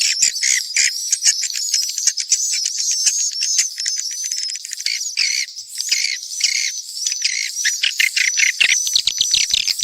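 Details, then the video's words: Mixed swiftlet calls: dense, rapid high chirps and twitters in quick bursts, with thin sustained whistled tones running along the top and brief gaps between bursts. "Sp burung walet campuran"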